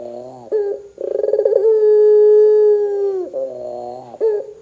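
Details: Barbary dove calling hard to prompt other doves to answer: a quiet low hoot, a brief upward flick, then a rattling roll stretching into a long, smooth, steady coo that slides down at the end.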